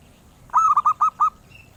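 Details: Zebra dove, valued by collectors for its sweet voice. It gives a single phrase of five quick, rounded cooing notes in a rolling rhythm against a quiet background.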